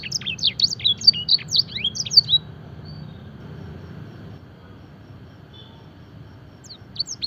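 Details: Canary trained in blackthroat and edel sanger song gives a rapid run of high, sweeping chirps and trills for about two seconds, then falls quiet before a short burst resumes near the end.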